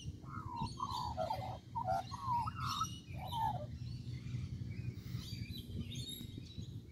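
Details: In a tree at Kings Park, Perth, Western Australia, an Australian magpie pours out a burst of mellow, fluty warbled notes over three seconds, then quiets; high twittering of other birds and a low outdoor rumble continue.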